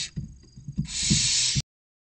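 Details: Barn owl chicks, six siblings aged 16 to 29 days, crowd the nest box entrance in Cabañeros National Park, Spain, awaiting food. Dull knocks and scuffles precede one long, breathy hissing snore that stops abruptly.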